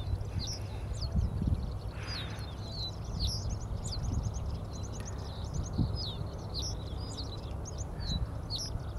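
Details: Middendorff's grasshopper warbler singing from atop a giant angelica plant in June 2022: short high trilled and chirping phrases repeated every second or two, over strong low wind rumble.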